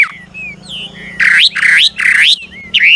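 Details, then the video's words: Chinese hwamei, an old wild-caught bird, singing varied phrases meant to stimulate young birds to sing: loud rising whistled notes around two to four seconds apart, slurred upward sweeps, with softer thin whistles between and a faint low hum. "Tiếng chim họa mi mồi già rừng hót luyến láy đảo giọng liên tục, giúp kích chim bổi nhanh hót"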